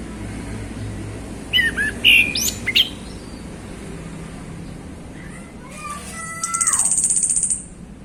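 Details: Male orange-headed thrush in easy afternoon song, kept caged: a jumble of quick high notes, then a few falling whistled slurs, ending with a thin, very high rattling trill.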